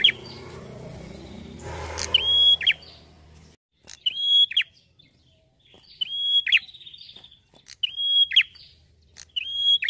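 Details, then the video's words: A red-headed prinia sings loud, high, sharp chirping phrases, repeated about every two seconds, after a brief burst of rustling noise at the start. "KECIL BERSUARA MERDU !! BEGINILAH GACOR MAKSIMAL PRENJAK KEPALA MERAH"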